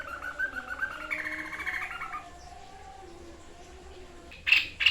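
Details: White-chested babbler, called sniper bird, singing actively: wavering whistled trills for about two seconds, a quiet pause, then two loud short sharp notes at the end.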